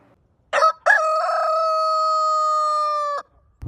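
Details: A single long morning crow from a rooster. A brief clipped note comes first, then a stuttering start that settles into a level, sustained tone held for over two seconds before stopping abruptly.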